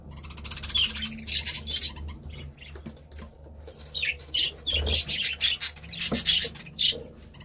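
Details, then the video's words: Budgerigar chattering: dense bursts of harsh, raspy high chirps and scratchy warbles, some short pauses between runs, with a faint low hum underneath. "Budgie Sounds"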